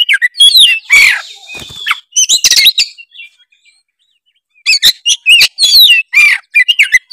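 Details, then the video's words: Kacer (Oriental magpie-robin) in energetic gacor song: loud rasping bursts and twisting whistles, a quiet gap of about a second and a half, then another dense run of varied notes. "denger suara kacer gacor satu ini"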